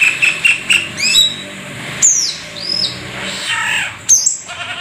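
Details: Black-winged starling singing in lively, full form packed with varied phrases: a run of short repeated high notes, then clear rising and falling whistles, sharp squeaky slurs and harsh squawks, with brief pauses between phrases.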